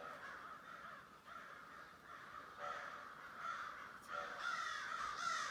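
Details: A huge flock of thousands of crows producing a steady wall of raspy, overlapping caws that swells slightly louder toward the end, with scattered sharper calls standing out.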